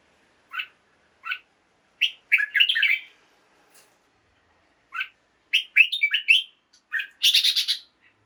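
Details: Red-whiskered bulbul, kept caged, singing in the morning to rouse other birds: paired single chirps, a short warble, another chirp, then a longer lively warbled phrase ending in a harsh chatter.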